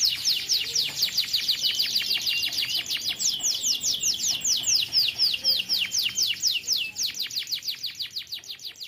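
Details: Canary singing an unbroken roll meant as a master song for young canaries: high, rattling series of quick falling sweeps, around four per second, slowing slightly toward the end.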